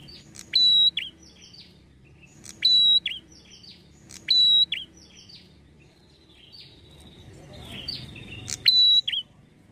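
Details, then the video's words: Red-headed prinia in energetic voice, played to provoke other prinias into replying: four bursts roughly every two seconds, each a piercing level whistle with clicks and chirps, then softer trailing notes. "PANCINGAN PRENJAK KEPALA MERAH,GACOR UNTUK MEMANCING EMOSI PRENJAK AGAR CEPAT NYAUT"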